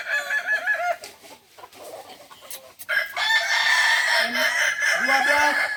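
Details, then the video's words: Balenggek rooster crowing during a contest session in Ampang Kualo, Kota Solok. A brief harmonic crow opens, then a quieter stretch with clatter, then a loud sustained multi-part crow with short lower tonal notes over it. "Latberan ayam kukuak balenggek"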